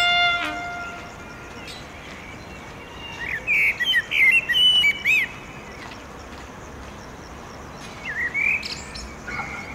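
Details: Male blackbird establishing a territory at sunset near a pedestrian bridge over railway tracks in Oradea: after a quiet start, one burst of warbled fluty notes with scratchy high twitters, then a softer later phrase, over faint background hum.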